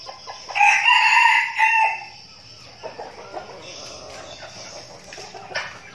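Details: Decoy red junglefowl in training, Bình Phước, Vietnam: one loud, rasping crow lasting about a second and a half, followed by softer clucking, scratching and faint distant calls.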